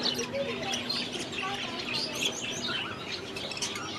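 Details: A group of aviary budgies twitters busily: short rising and falling chirps and scratchy warbles overlap continuously at a fairly even level.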